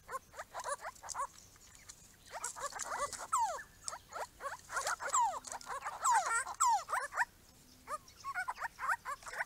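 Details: A small group of grey-crowned babblers at a garden pond built for them chatter together: squeaky, yelping notes that slur downward, with several birds overlapping in excited bursts. A faint low hum runs underneath.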